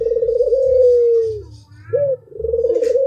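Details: A drawn-out pulsing coo from an albino spotted dove slides down and fades, then a short rising note leads into another long throbbing coo.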